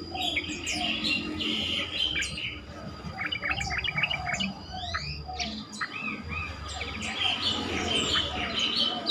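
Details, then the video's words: Lure song of yellow-vented bulbul for prompting other bulbuls to call back: dense, chattering bursts of bright chirps and upslurred whistles, fairly continuous, with a steady background hum. "pancingan trucukan terkomplit sangat bagus untuk membuat trucukan lain lebih gacor"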